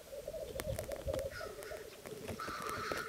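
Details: Black grouse rookooing at a lek in 2011: a steady, low, bubbling coo that runs on without pause, with a higher whistled note from another bird coming through.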